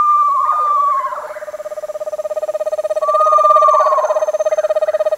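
Screech owl giving a steady, mid-pitched monotone trill throughout, overlaid by two brief descending whinnies. The background is otherwise quiet.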